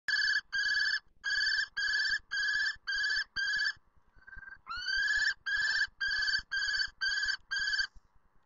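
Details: Common kestrel (Falco tinnunculus) screeching in Lausen: a fast series of shrill, ringing notes, about two a second, broken by a brief pause and one rising, slurred note.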